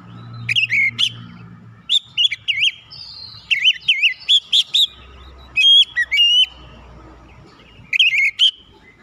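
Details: Oriental magpie-robin song meant to stir other birds to sing, given as short separate bursts of bright, warbling whistles with brief pauses between them, plus a faint low hum at the start.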